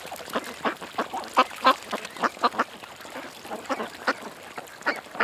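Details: At a creek, ducks give short, separate nasal quacks, about three or four per second, in uneven bursts. Several sharper, louder quacks stand out over quieter calling behind them.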